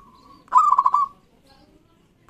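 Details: Local zebra dove, kept as a cage bird, giving a short loud phrase: a burst of rapid rolling coos near one pitch lasting about half a second, then quiet, with a new phrase starting at the end.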